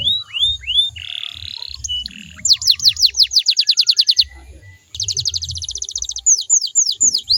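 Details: Canary singing to coax other canaries to respond: a few rising whistles, a buzzy roll, a burst of falling sweeps, then a fast even rattling trill and slower looping notes.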